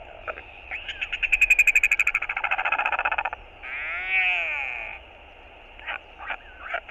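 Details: Hungry northern royal albatross chick begging its father for food, filmed by a nest camera: a rapid run of harmonic pulses, about four per second, then a drawn-out, arching wail and a few short yelps.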